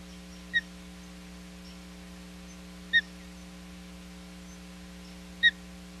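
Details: Osprey at the Hog Island nest on 10 July 2021, during a showdown at the nest: three short, high chirps spaced about two and a half seconds apart over a steady low hum.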